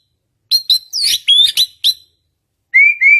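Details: White-rumped shama singing to provoke a reply, with a burst of sharp chips and bright whistled phrases, a second-long silence, then two clear rising whistles at the end.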